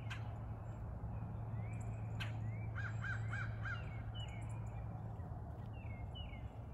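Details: Crow, one of three that have visited every morning for several years asking for breakfast; a quick run of about four short, arched caws from some distance, over a steady low hum and faint high chirps from other birds.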